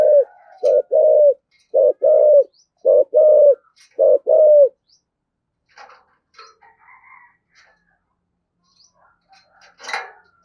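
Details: Spotted dove cooing in the thổ sấm voice style, pushed to coo hard: a run of rhythmic, hollow, mid-pitched coos in pairs and triplets, then quieter chirps from other small birds.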